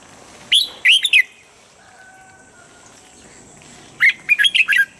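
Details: Standard-voice morning training song of a red-whiskered bulbul, used to help birds reach peak condition fast: a loud phrase of quick whistled warbling notes, a pause with a faint low tone, then a second, longer phrase of five chirpy notes.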